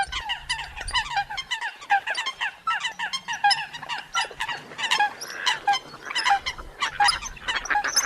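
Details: Chorus of Eurasian coots: crowded, irregular honking and squawking notes, roughly eighty per minute, several birds overlapping, over a faint low drone.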